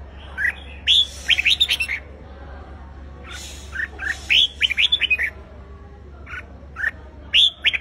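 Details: A red-whiskered bulbul, a wild-caught bird being stirred into competitive fighting song, gives bright, liquid whistled phrases of four to six quick notes in bursts every couple of seconds, over a steady low hum.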